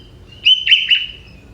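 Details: Young wild sooty-headed bulbul from the forest, its song carrying prinia-like fill phrases: a single clear sustained whistle with two brief warbled breaks, fading out over a quiet background.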